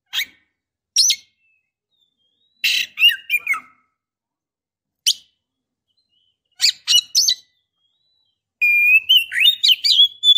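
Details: Oriental magpie-robin female, used as a lure to excite a male into singing or mating: scattered short harsh, buzzy chirps with pauses, ending in a sustained run of sweet rising and falling whistles.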